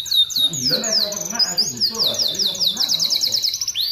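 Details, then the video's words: Canary in full, vigorous song, kept as a master bird for tutoring: rapid high trills and descending sweeping notes repeated in quick runs, with a low murmur of voices underneath. "Kenari gacor untuk masteran"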